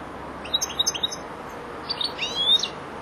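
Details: European goldfinch, a four-month-old youngster still learning its song, gives two short bursts of quick, high twittering notes separated by a second of quiet.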